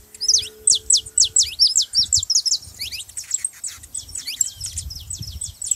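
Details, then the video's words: A saffron finch, used to set cold canaries singing, delivers a fast regular string of sharp downward-swept chirps, roughly three per second, then a looser jumble of thinner notes over light low rumbling. "canário da terra pra foguea seu canário frio"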